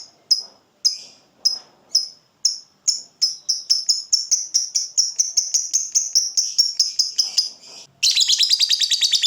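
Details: Fighter lovebird used as a training tutor: sharp high chirps start slowly, steadily speed up into a dense buzzing run, then burst into a fast, loud chattering 'ngekek' trill at the end.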